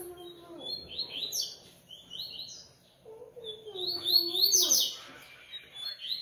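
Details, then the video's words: Double-collared seedeater giving two bursts of fast high twittering phrases, with a lower drawn-out sliding tone in the background and some room noise. "Coleiro Artilharia"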